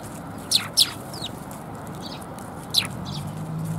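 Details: Eurasian tree sparrows come to be fed at a Tenmangu shrine on 10 January 2022: a quick pair of sharp high chirps, a softer one, then another loud chirp, with faint outdoor background sound.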